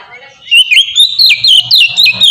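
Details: Melodious 'ngeplong' singing by an Oriental magpie-robin, used to coax young caged magpie-robins into song. After a quiet start, bright whistled notes swoop and rise in a quick, continuous run.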